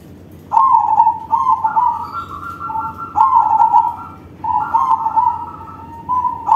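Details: Crossbred zebra dove singing loudly, its rolling, fluttering coos overlapped by a second, slightly higher, steadier dove voice answering between and alongside the phrases.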